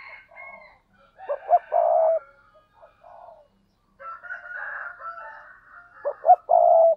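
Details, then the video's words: Two cooing phrases of a spotted dove, each of soft wavering low murmurs, then two short sharp notes and a long, full, steady coo; faint higher notes are mixed in. "cu gáy"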